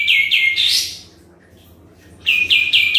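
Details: Sooty-headed bulbul singing lively as a lure recording meant to prompt other birds to answer; bright high notes in a quick series, a rising sweep, a pause, then another run of rapid repeated notes.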